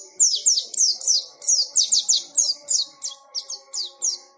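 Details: Ngalas-style white-eye song: bright, high, downward-sweeping chirps repeated rapidly and fairly evenly, about three or four each second.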